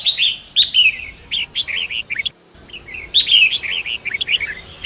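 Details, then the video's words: Wild forest Long-tailed Shrike singing near a rushing river, kept as a training song for other cage birds: rapid series of harsh, slurred chirps and clicks in two long phrases with a short pause between. "Masteran Pentet Hutan Sungai Deras"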